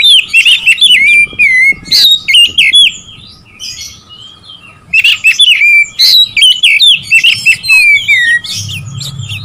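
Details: Rival-provoking song of an Oriental magpie-robin. Two energetic bursts of varied whistles, chirps and downslurred notes are separated by a quiet gap of several seconds.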